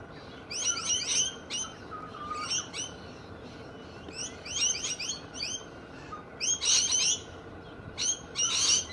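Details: Several bold, loud Australian galahs give harsh, screechy chattering calls in quick bursts, with short pauses between clusters, over a low background hiss.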